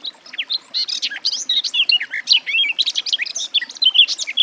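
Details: Loud, close garden warbler song, a dense unbroken stream of fast chattering and bubbling warbled notes filling the whole recording.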